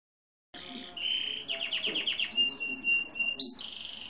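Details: Grey and white (lavender) canary of no defined breed singing; a seedeater was also singing heavily when recorded. After half a second of silence come high buzzy notes, a run of quick descending chirps, then fast rolling trills.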